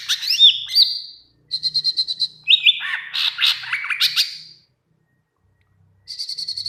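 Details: Greater green leafbird song used as a training model for other birds: looping upslurred whistles, a quick series of evenly spaced chips, then descending slurred notes and a final chip series.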